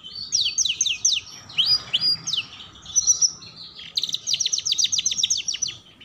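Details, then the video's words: Canary song used to tutor young canaries learning to sing: bright fast trills and sweeping whistled notes, then a quick rattling series of repeated high notes, over a soft low hum. "Pancingan Kenari Belajar Bunyi"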